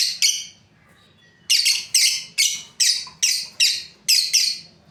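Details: Breeding pair of pet lovebirds: two sharp chirps, a short pause, then a steady series of harsh, high chirps about every third of a second, with faint low hum behind.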